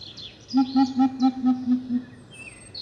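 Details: A coucal in a calling group gives seven low, hollow hoots at an even pace, each slightly lower than the last. Faint high chirps of other birds are heard before and after.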